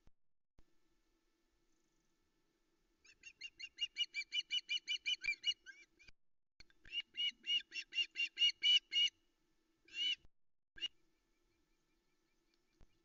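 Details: Osprey at the Loch Arkaig nest in misty early light around 05:22 on 13 August 2020, female waiting for a brown trout delivery from the male, giving bursts of shrill, whistled chirping notes, about two per second in runs of several.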